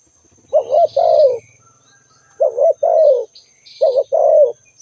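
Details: Spotted dove calling: three closely repeated low two-part coos, a short wavering note then a longer falling coo, against faint high chirps of other birds and a constant thin whine.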